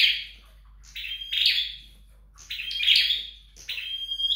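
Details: At home in training, a flowerpecker repeats short high phrases roughly every 1.5 seconds, each a level thin whistle tangled with buzzy, chattering notes, quiet pauses in between.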